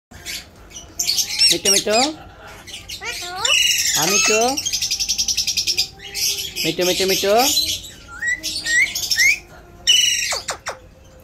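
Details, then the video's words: Pet Alexandrine parakeet talking like a human: bursts of speech-like syllables with stacked falling glides, mixed with harsh raspy screeches and bright chirps, in short phrases across about eleven seconds. "Alex parrot talking like a human"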